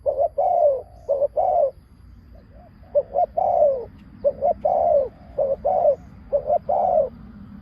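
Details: Decoy spotted dove luring wild doves, cooing in clustered phrases of short and drawn-out downslurred notes, steady and loud, over a faint low background hum.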